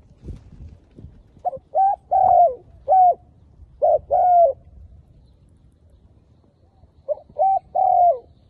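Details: Decoy spotted dove luring wild doves for trapping gives three repeated coo phrases. Each is a brief soft lead-in note followed by two or three hoarse, even coos, the longer coo dropping in pitch. Quiet outdoor background.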